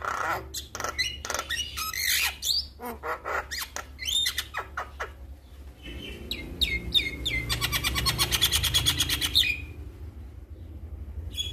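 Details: Male Javan myna calling to companions: a mix of harsh squawks and clicks, then a long, rapid rattling chatter of repeated notes that stops abruptly, over a steady low hum.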